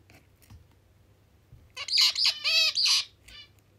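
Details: Pet zebra finch, food still stuck on its beak, coming over to be massaged: a quick run of loud nasal, harmonic-rich calls, several stacked and slightly bending, packed into about one second, then quiet room background.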